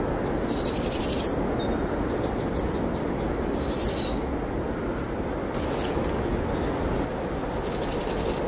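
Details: Two powerful owl chicks trilling after dusk while their mother feeds them a brushtail possum she held all day at the roost; three thin, high, slightly rising trills spaced about three to four seconds apart, against a quiet background.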